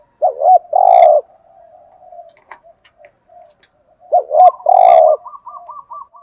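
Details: Spotted dove lure call for attracting other doves. Two phrases about four seconds apart, each a short double coo followed by a long, full coo. Faint rapid higher notes trail after the second phrase.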